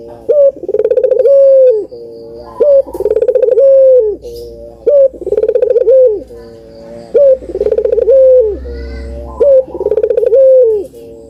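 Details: Repeated dove cooing used as a lure for doves that rarely call: about seven phrases at steady intervals, each a quick rolling trill rising into a long, smooth coo that drops off at the end.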